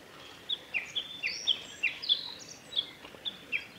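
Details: Black-faced bunting, a male at the North Fuji training area in Japan, 13 June 2021, giving thin sharp chips and short downslurred notes, roughly three per second, with higher faint notes over steady outdoor hiss.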